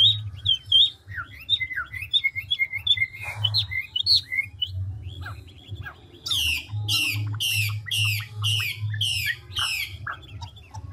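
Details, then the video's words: Chinese hwamei of the five-phrase style singing with rapid voice changes: a lilting run of varied whistled notes, then a series of loud fast descending sweeps repeated steadily, over a low hum. "Họa mi ngũ trường đảo giọng tốc độ"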